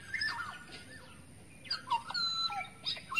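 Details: Black-naped oriole in the wild forest, lure call: mellow whistles falling in pitch, a short phrase, a brief pause, then a longer run of looping whistled notes over faint background hum.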